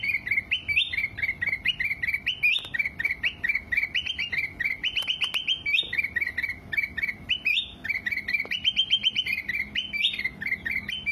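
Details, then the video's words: Black-crested bulbul song used as a training track for singing birds: a steady run of bright, chirpy phrases that step up and down, repeated without pause, with no other clear sounds. "Masteran Kutilang Emas Mudah Gacor"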